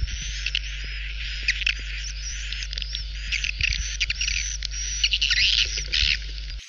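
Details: Swiftlet lure recording meant to attract edible-nest swiftlets to a nesting house: a continuous dense mass of high, scratchy twitters with occasional louder chirps, over a steady low electrical hum.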